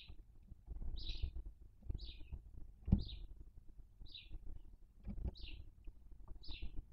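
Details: Barn owl at a nest in Cabañeros National Park, where the female feeds on the body of a dead chick from a brood of six; short, high, rasping chirps repeat roughly once a second over low rumbling background noise.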